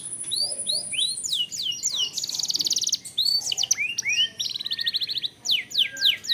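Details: Lure recording of a canary singing long rolls: a thin high whistle, a series of curved rising notes, then rapid rattling trills interleaved with down-slurred whistled phrases.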